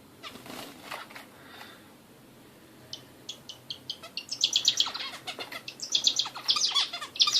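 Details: Indian bulbul singing: a quiet, muffled start, then rising bursts of quick, high chirps and twitters from about three seconds on, growing louder and denser toward the end.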